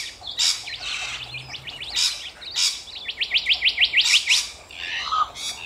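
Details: Several rainbow lorikeets calling in Australia: harsh screeches mixed with squeaky twitters, then a fast run of about eight sharp rising chirps, followed by a softer, raspy chatter.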